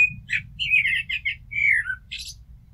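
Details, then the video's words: Turdus merula singing a rich warbled phrase: a clear note, a cluster of rapid fluty syllables, a long descending whistle, then a thin squeaky high flourish closing the strophe. "Amsel Gesang - Merle Noir Chant - Blackbird Song - Mirlo Cantando"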